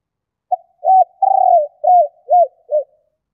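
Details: Female spotted dove calling to stimulate males: a soft, low coo phrase of six notes. A long, rolling purr comes third, then three shorter arched coos that drop in pitch, in a quiet setting.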